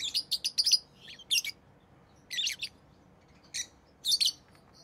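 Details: Rosy-faced lovebird, tame pet bird, giving rapid high-pitched chirps in quick clusters of several notes, with short pauses between the bursts.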